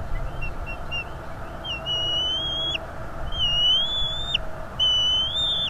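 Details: Defending its northeast Florida nest from an intruder, a father bald eagle on a livestream camera gives soft short pips, then three long, high whistles, each rising slightly and ending in a sharp drop.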